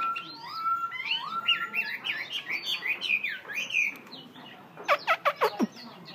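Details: Tame Black-throated laughingthrush, a Vietnamese cage bird, giving a rolling series of looping whistled notes, then a pause and four or five sharp, loud click-like notes near the end.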